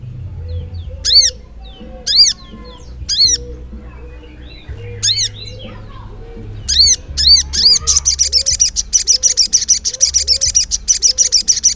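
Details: Sogok ontong (ruby-cheeked sunbird) singing ngleper style. Spaced, sharp, arched chirps at first, then a long, fast run of buzzy, rattling high notes. Faint soft wavering sounds in the background.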